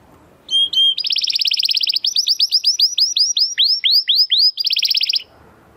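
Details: Timbrado Español canary male, born sixth in his 2020 breeding, sings a training song: two flat whistles, a buzzing trill, then a clear series of downward-hooked slurred notes, ending in another rolling trill.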